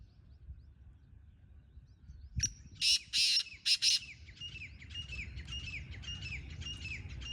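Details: Wild black francolin calling along with a captive one: a harsh, grating phrase of four broadband bursts, short then longer, after which small birds twitter softly in the background.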